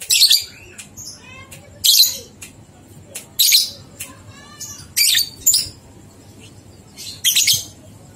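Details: Lovebird singing ngekek for training two-month-old youngsters: rough high-pitched chattering bursts at irregular gaps, with faint fluttering squeaks between.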